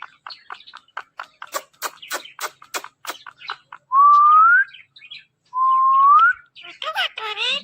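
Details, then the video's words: Talking pet parrot making a run of rapid clicking notes, then two smooth rising whistles, ending in harsh chatter. "Talking Parrot"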